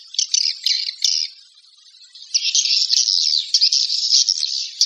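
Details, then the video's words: Swiftlet calling sound: bursts of dense, buzzy, high chirps in two runs separated by a quiet gap of about a second, with rapid twittering pulses throughout and no other sounds. "Suara Walet Panggil"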